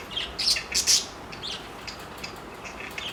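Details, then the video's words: Flirting parakeets, four pets together: a quick run of loud squeaky chirps at the start, then softer scattered tweets fading into quieter chatter. "parakeet sounds of flirting"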